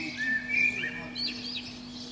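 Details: Eurasian blackbird singing on a spring morning from a pine treetop under a window: short mellow whistles stepping upward, followed by a high, thin, squeaky trill, set against a continuous low hum.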